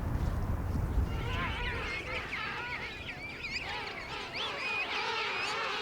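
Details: Wild colony of about 6000 king penguins, roughly 3000 pairs with their furry chicks, huddled in the snow below mountains at Fortuna Bay: a dense chorus of overlapping warbling, trumpeting calls over a steady low wind rumble.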